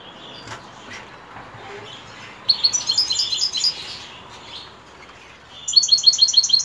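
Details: European goldfinch in the evening. Faint murmuring background gives way to a dense burst of high chattering twitter, then a later clear run of quick repeated tinkling notes.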